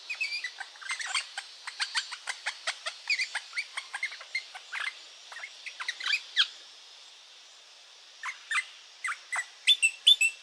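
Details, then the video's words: A rosella parrot gives rapid, sharp chattering chips, many per second for about six seconds, then a pause and a few scattered high squeaky notes. "රොසෙල්ලා ගිරවා.... rosella parrot."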